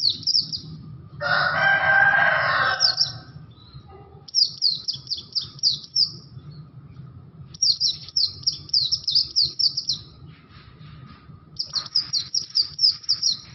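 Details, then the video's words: Oriental white-eye, of the kind locally called Bustomi or Buxto, singing an unusual sound: quick runs of high, sharp chirps in repeated bursts separated by short pauses, with a loud harsh noisy burst early on and steady low hum. "SUARA ANEH BURUNG PLECI BUSTOMI/BUXTO GACOR"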